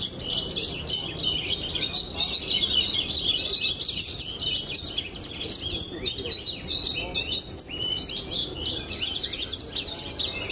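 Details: Pied (blorok) Javan bush lark, a caged competition bird and recent best-of-the-best winner at Brenjes Mania, pours out a continuous high, rapid twittering song of chattering trills and quick slurred notes for ten seconds, with faint low background murmur.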